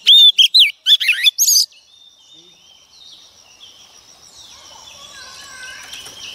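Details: Female Oriental magpie-robin, a wild-caught bird, singing to provoke males. A brief burst of bright whistles and rough chips opens, then only soft, hissy background sound continues.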